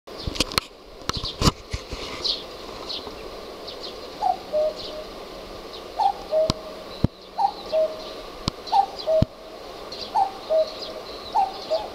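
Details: Common cuckoo calling from the top of a utility pole in the neighbourhood. After some early bumps and thuds, six clear two-note cuck-oo calls follow, the second note lower, about every 1.2 seconds. Faint high chirps of other birds sound over a steady hiss.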